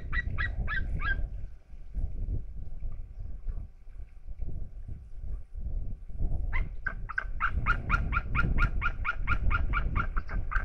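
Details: Out-of-view pair of eagles in Estonia, 27 August 2021, giving quick yelping call series: a short burst of four harsh notes at the start, a rumbling pause, then a longer rapid run of barking yelps.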